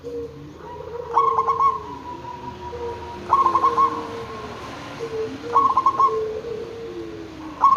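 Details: Local zebra dove singing as a lure for other zebra doves: four short, rapid cooing phrases, softer than the background of overlapping drawn-out tones and hiss.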